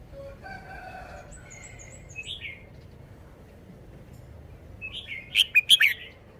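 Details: Red-whiskered bulbul displaying its song phrasing: a brisk run of four loud, emphatic whistled notes at the end, preceded by faint, thin background chirps and a slurred call.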